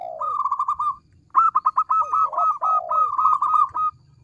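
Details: Actively singing local zebra dove, its small voice carrying loudly: rapid chains of clipped cooing notes broken by lower, downward-slurred coos, in two phrases separated by a brief pause.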